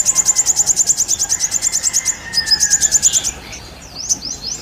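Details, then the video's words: Sooty-headed bulbul in energetic 'isian' song, a quick chain of high, clipped repeated notes followed by a few scattered sweeping chirps as the phrase fades. "burung sogon gacor ngobra isian"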